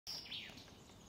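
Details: A great spotted woodpecker at Ljubljana Marsh (Ljubljansko Barje), Slovenia, on 13 April 2024 gives a single sharp, high 'kik' that ends quickly, over a steady hiss of outdoor background noise.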